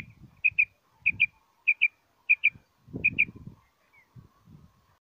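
Common quail giving five quick, liquid double notes, sharp and high, spaced about two-thirds of a second apart, over low rumbling background noise.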